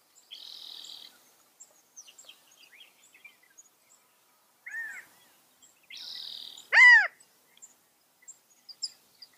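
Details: California quail: one loud, arched, harmonic call near the end, with earlier buzzy hiss-like bursts, a softer short whistled note, and faint high chirps from other birds in between.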